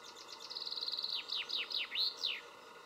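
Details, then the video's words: Perched common chaffinch delivering one full song phrase: rapid chipping notes gather into a fast rattle, then descend in looping slurred notes before a final emphatic down-swept flourish, with a faint steady background hiss. "Pěnkava obecná - Fringilla coelebs"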